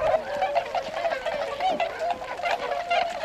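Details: Flock of Tundra swans at Gohoden retention pond, Azumino, Nagano, Japan, in February, going out to feed in rice fields; dense overlapping nasal calls form a continuous murmuring chorus.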